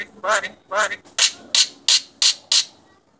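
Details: Contest-champion Asian pied starling singing: two wavering nasal notes followed by a regular series of five harsh, hissing bursts spaced about a third of a second apart.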